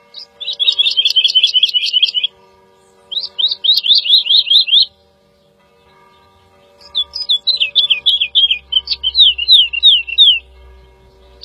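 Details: Woodlark (Lullula arborea) delivering three song phrases: a rapid even trill, a run of rising-and-falling notes, then a looser descending cascade, separated by short silences; a low rumble near the end.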